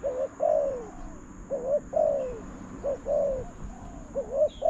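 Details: Spotted dove cooing toward a decoy at a trapping site: paired low notes, a short clipped coo then a drawn-out descending one, repeated steadily with a faint high bird call behind.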